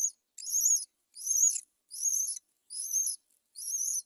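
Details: Great myna at a nest with a chick about to fall, the mother bird not saving it; five strident, hissy, high rasping calls, each about half a second long, repeated roughly every 0.8 seconds with short silent gaps.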